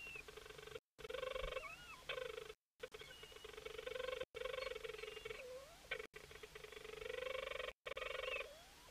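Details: A Leach's storm petrel calls at night in a cahow nesting burrow in May, staying vocal while keeping its distance from a cahow parent feeding a chick: long, rapid purring churrs broken by quick rising whistles, repeating every couple of seconds.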